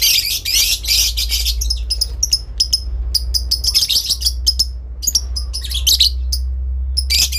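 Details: Adult lovebird calling to a rival in long ngekek; dense rasping high chatter opens, then many short sharp clicks and chips in rapid runs, ending with another harsh burst, over a strong low hum.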